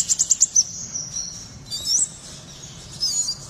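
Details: Caged blue-tailed minivet in trotol style opens with five rapid, high, clipped chirps, then slurred, high warbling notes come in short bursts separated by pauses, with a low steady hum beneath.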